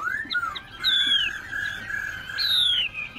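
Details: Caged tame Chinese hwamei from Binh Chanh, Ho Chi Minh City, giving a few long, clear whistled notes, some slurring downward, with a steady tone held underneath and soft background hiss.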